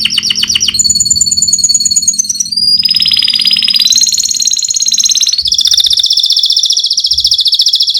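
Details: Rolling song of a fighter canary, suited as a tutor recording for other canaries. Continuous high trills change tempo and pitch: a rapid rattle, a thin whistle, a dense buzzy roll dipping and rising, then a loud fast trill held to the end.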